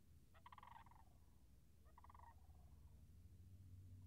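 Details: Sandhill cranes near a marsh in a wetland on March 26, 2019, with puddles still frozen, give two rolling, rattling bugles about a second and a half apart over a steady low wind-like rumble.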